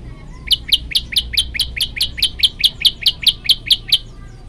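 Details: Prenjak lumut, the olive-backed tailorbird, in a varied masteran recording, delivering evenly spaced, clipped rising chirps at a brisk pace, each note short and piercing, with faint low background rumble.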